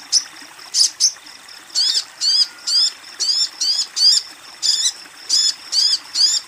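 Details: A female crimson sunbird calls a male: two or three short bright chirps, then a run of high, squeaky, downward-curving notes repeated about every half second. Played as therapy for untrained birds or birds that stopped singing.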